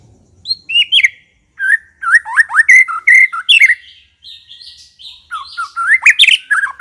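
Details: White-rumped shama pouring out lively song, quick varied whistles with upward sweeps and sharp chattering notes, nearly continuous over several seconds.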